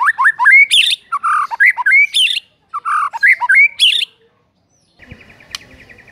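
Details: White-rumped shama song used as a morning lure to train a silent bird to sing quickly: a phrase of rising whistled notes mixed with harsh squawky bursts, given twice about two seconds apart, then a pause and a faint buzzing rattle.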